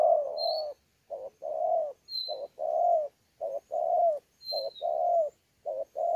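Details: Repeated mellow coo pairs, each a short note and a longer rounded coo, from a thổ pha spotted dove caught in the wild, challenge calling at Sa Thầy, 26 November 2019. Another bird adds thin, high, falling whistles between phrases.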